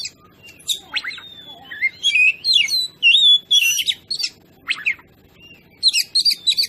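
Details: Oriental magpie-robin (kacer) song used as a lure to provoke other birds; long wavering whistled phrase with warbled notes, mixed with harsh chatters and sharp downslurred calls.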